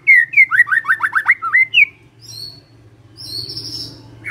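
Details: Singing magpie-robin, played to make others respond: a quick burst of repeated downward-slurred whistles, then a pause. Faint high notes follow over a low hum.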